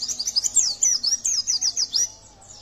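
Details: Yellow-breasted white-eye song used as a provoking lure for other songbirds: a burst of rapid, high chirps and swooping slurred whistles for two seconds, trailing off into quiet with a low background hum.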